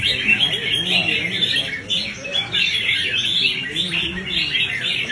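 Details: Red-whiskered bulbul in competitive singing training meant to provoke fighting song, pouring out bright, rapid chattering and warbled phrases in continuous bursts, with faint low background noise.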